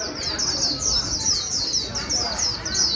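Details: High, sweet white-eye phrases of fast descending slurred notes repeat in close succession, for training a 'bổi' bird to sing quickly. The background is clean and quiet.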